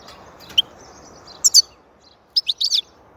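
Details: A goldfinch gives short high chirps, then a tight run of four or five rapid liquid twittering notes. The background is otherwise quiet.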